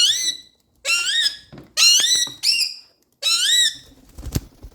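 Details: A pet rose-ringed (ring-necked) parakeet (Psittacula krameri) talks nonstop in shrill, nasal, speech-like bursts, each about half a second long.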